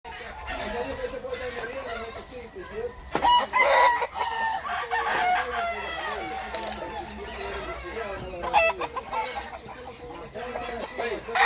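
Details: Rooster crowing as a morning greeting, with a harsh, drawn-out cock-a-doodle-doo standing out from busy clucking and other farmyard noise, and voices speaking in the background.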